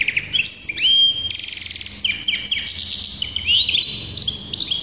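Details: Hybrid canary of the tuffahi kind, 2023, pouring out a loud, varied high song: rising slurred whistles, fast rattling trills, and sustained rolling phrases in near-continuous succession.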